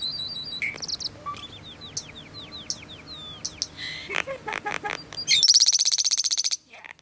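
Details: A common starling's unusually long rambling song of slurred whistles and sharp clicks, ending in a loud, fast, buzzy rattle held for about a second.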